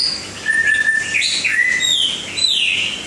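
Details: White-rumped shama from Langkawi giving a long steady whistle followed by rising slurred notes and high descending sweeps, clear and musical against a soft background hum.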